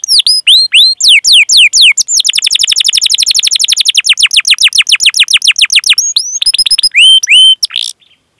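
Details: Singing canary recorded as a training lure for young canaries or birds that have stopped singing: a few loud downslurred whistles open into a long, very fast rolling trill of falling chirps, ending with clear sustained whistles.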